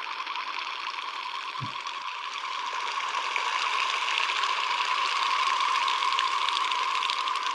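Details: Wings of Common Goldeneye, diving ducks feeding on mussels in coastal bays in winter, seen as a male and two females, make a steady, rushing whistle with a fast, fluttering pulse that swells louder; soft thump near start.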